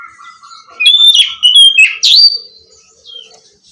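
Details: Oriental magpie-robin song, played as therapy to get a silent bird singing again: loud, clear whistles that slide up and down, with a faint lower tone held in the background.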